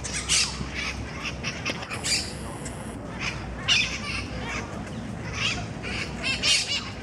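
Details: Monk parakeets fighting over food in Parc de la Ciutadella, Barcelona, Spain, with mitred parakeets squawking from the trees above; harsh, broadband squawks in short bursts scattered across the seconds, some clustered in quick doublets, over steady park background noise.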